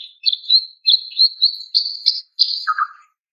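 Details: Female greater green leafbird calling to a male: a quick series of high, buzzy trilled notes roughly three per second, ending with one lower rasping note.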